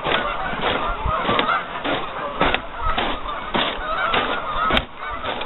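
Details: Many geese gather on a lake that is partly frozen. Their honks overlap into a steady clamour, broken by loud sharp clicks or knocks every half second or so.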